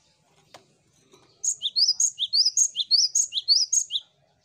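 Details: Cinereous tit song played to prompt other birds to sing quickly: after a faint tap, a long, loud run of high two-note phrases repeated about ten times, evenly spaced over nearly three seconds.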